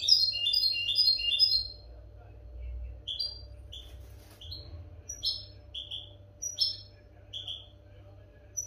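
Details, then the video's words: European goldfinch song for training captive goldfinches: a short opening run of fast tinkling twitter, then about ten separate bright, high chirps scattered every half second or so, with a faint low hum and murmur. "audio pará educar a los jilgueros sin errores |كيفية تعليم طيور الحسون نظيفة بدون عيوب"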